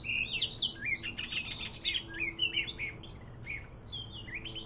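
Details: Trapping-lure song of a Medan Oriental magpie-robin, somewhat quieter: rapid mixed whistles and rising and falling slurred notes, tumbling together early, then sparser clear whistled phrases later.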